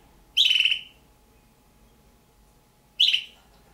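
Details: Juvenile red-billed hornbills, two young captive birds possibly of the Damaraland subspecies; a pair of grating, buzzy calls spaced under three seconds apart, each lasting about half a second, with faint indoor hum behind.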